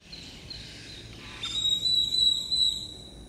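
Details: A White-collared Seedeater in a residential area of San Pedro Sula, Honduras, gives a thin, high, steady whistle with a slight waver, held for over a second, after a faint high note; light background hiss.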